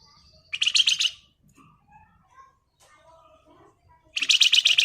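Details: Flamboyan ngebren song: two short, rapid buzzy trill bursts about three seconds apart, separated by faint soft chirps.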